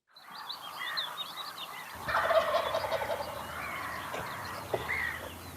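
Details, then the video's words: Male eastern wild turkey gobbling in spring while a hen stands out in the field: a rolling, rattled gobble rising from a dense dawn chorus of other birds, with steady background hiss throughout. "heard the turkey gobble there, and then there's a hen out in the field."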